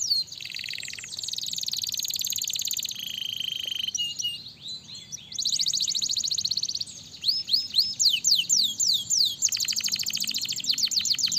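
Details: Canary song used to stimulate other canaries to sing: long rolling high-pitched trills alternating with rapid repeated chips and bursts of descending whistled sweeps, continuous and energetic throughout.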